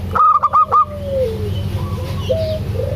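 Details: Zebra dove, local type, calling to lure a quiet dove into voice; opens with a rapid run of four sharp ringing notes, then softer low sliding coos and a short upward note over a continuous low hum.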